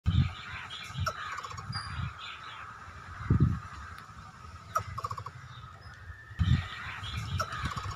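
Greater coucal giving deep, hollow booming hoots in short irregular bursts, with a steady hum of insects and faint chirps of other birds behind.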